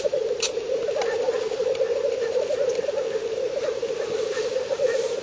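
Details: Black grouse displaying at a spring lek in northern Finland on 30 April 2011, recorded from 50 to 70 metres with a Fujifilm superzoom camera: a steady, throbbing, low bubbling chorus runs without pause, with faint higher chirps above.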